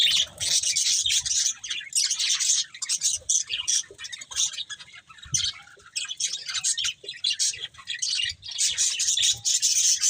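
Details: Budgerigars keep up loud, continuous twittering: fast high chirps and scratchy warbling, rising and falling in bursts, with light low background noise.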